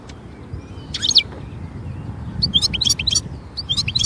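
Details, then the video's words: European goldfinch in nature giving a short twitter, then a run of rapid, bright, chattering notes over a low rumbling background. "جمال الحسون في الطبيعة"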